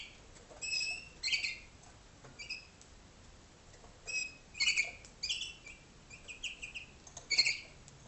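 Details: Short gurgling waterslager notes from a tutor canary in a darkened Ohio training room for young birds hatched in 2011: uneven bursts of bright chirps, some doubled, scattered across eight seconds.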